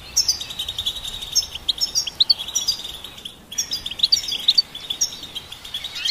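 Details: Goldfinch song: fast, tinkling twitters and liquid chirps strung over a steady high buzzy tone, with one short pause midway, quiet background.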